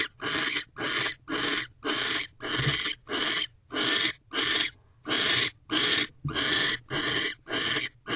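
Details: Nest-box owl pair mating on a December evening; a steady series of about twelve hoarse, hissing screeches in eight seconds, evenly spaced, each short and broad like rushing air, with nothing else clearly heard.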